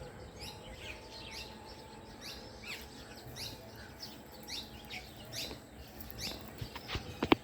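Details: House sparrows in the evening giving repeated short, high chirps at an irregular, lively pace throughout, over a soft outdoor hum, with a few sharp knocks at the close.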